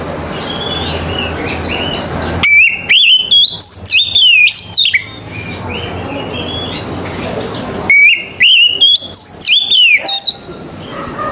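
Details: Oriental magpie-robin singing in the morning to trigger replies and song from other magpie-robins: two bursts of loud, clear whistles with abrupt pitch leaps and downward slurs, separated by a hissy gap with faint distant birds.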